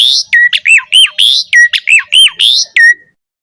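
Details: Black-collared starling, a lure recording meant to get other starlings singing richly. A run of about ten loud, clean notes, each a short high burst dropping into a bent whistle, at a fast steady pace over three seconds.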